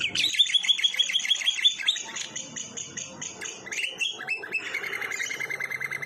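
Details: Lovebird ngekek from a tembakan kores filler recording for training other birds: varied high chattering and squeaky notes shifting pitch several times, with a lower, steady buzzy trill toward the end.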